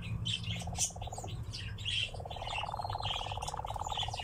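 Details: Nightjar at a ravine, giving a low, steady, rapidly pulsed churring trill that pauses briefly and resumes at a slightly higher pitch, with sharp high chirps from other birds scattered over it and a constant low rumble beneath.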